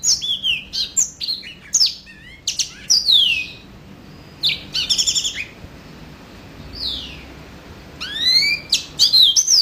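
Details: Yellow-fronted canary song coming in bursts of high, rapid whistled slurs and chirps, broken by a few seconds of near-quiet before a loud, rising phrase closes it.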